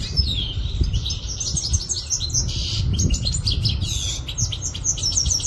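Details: European goldfinch from Quetta delivering a fast, continuous stream of high liquid twitters and short buzzy trills, lively and unbroken, over constant low-pitched background rumble.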